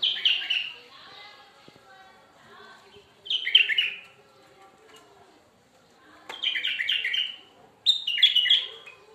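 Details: Bulbul song: four short bursts of bright, warbling, chattering notes, about every two and a half seconds, separated by quiet gaps with faint low background murmur.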